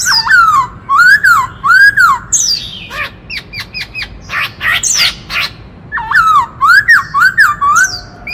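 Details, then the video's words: Forest White-cheeked laughingthrush giving a many-voiced kích trống song. Loud looping whistles dip and rise, repeated about once a second, then a rapid clattering series of sharp notes. The looping whistles return at the end. "Khướu bạc má hót - Tiếng chim Khướu rừng hót kích trống - Chim khướu hót nhiều giọng hay"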